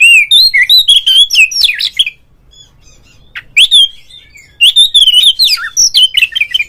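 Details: Oriental magpie-robin kept in a cage, sung to prompt other magpie-robins: loud rapid run of clear whistles and twisting notes, a silent gap of about one and a half seconds, then another fast varied burst.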